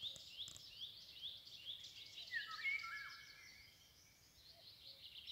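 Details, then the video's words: Eurasian golden oriole singing in Anklamer Stadtbruch on 24 May 2022: one brief, mellow fluted phrase of liquid whistles sliding downward, over a steady wash of high, thin chirping from other birds. "Pirol - Gesang"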